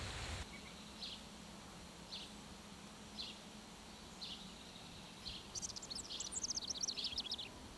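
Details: Mountain Bluebird at a nest box near aspen forest in Alberta giving soft, high single notes about once a second, then a quick flurry of thin chirps; a low steady hum runs underneath.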